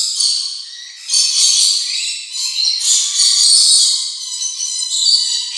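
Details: Rainbow lorikeet chattering: rasping high screeches run together in rapid, uneven bursts, swelling and fading, with a faint thin tone underneath.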